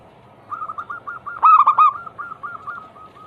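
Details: Zebra dove cooing song used to stimulate other doves into singing: quick, evenly spaced soft coos on one pitch, broken midway by a loud, rich, rolling phrase, then returning to the faint repeated notes.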